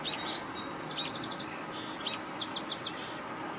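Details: American robins, possibly calling because of a hawk perched nearby, with a young robin seen, give high, sharp chirps and short squeaky notes ending in a quick run of four descending chips, over a steady background hiss.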